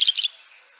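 A black redstart gives four quick, high, thin chirps in a tight burst lasting a quarter second, then quiet.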